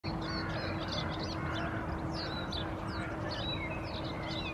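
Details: House sparrow male perching in a bush in Helsinki, Finland, April 2023, chirps busily in quick overlapping bursts of bright notes over a steady low hum and rumbling background; other species dominate the soundscape.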